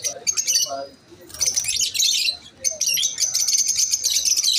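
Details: Masked lovebirds call in quick, high-pitched chirps and chatter, with two brief lulls between the loud bursts.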